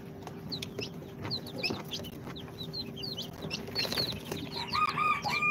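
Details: Incubator-hatched chicks, two days old, Sultan, Golden Sebright, Cochin and booted breeds, giving scattered high falling peeps, then a lower wavering trilled call near the end, with a faint constant hum.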